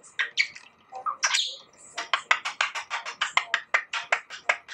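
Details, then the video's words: A 6-year-old pet budgerigar that imitates light-vented bulbul calls chatters in a rapid run of scratchy, buzzy notes, about four per second, mixed with brief whistled squeaks. "快樂虎皮鸚鵡│小Q的聲音～學唱歌～Budgerigar budgie"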